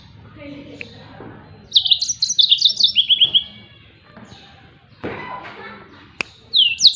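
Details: Yellow-fronted canary giving a 'tembakan' song used for training other songbirds: one quick phrase of high, slurred twittering notes dropping in pitch, then a pause with soft thumps and faint background noise, another phrase starting at the end.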